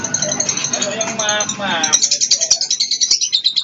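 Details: Blue lovebird in moult giving its long 'ngekek' chatter: a mixed, noisy start gives way to a fast, high, buzzy rattle of even pulses in the second half.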